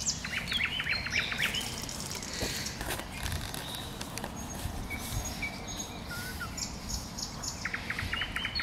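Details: Common nightingale singing in bushes: bursts of rapidly repeated clipped notes alternating with thin whistles and short slurred phrases, over a steady low rumble of background noise.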